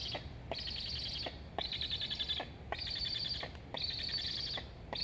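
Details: Begging Black stork chick on a nest in Estonia, filmed by nest camera on 26.08.21, asking to eat as its sibling flutters along the nest; four rasping, high buzzy bursts follow one another at roughly one-second intervals.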